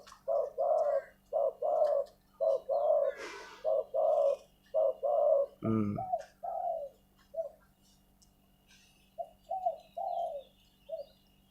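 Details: Decoy spotted dove cooing in a long run of soft, hollow, low notes roughly once a second, interrupted by a single sharp knock, then thinning to a few scattered coos near the end.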